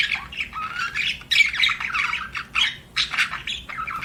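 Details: A budgerigar squawks and chirps in dense, harsh bursts of chatter, mixing rising squeaky notes with scratchy calls, repeated in uneven runs with brief gaps.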